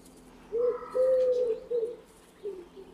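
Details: Common wood pigeon, a forest bird of Russia, gives deep, hollow coos: a short note, a long drawn coo, another short note, then two softer fading coos.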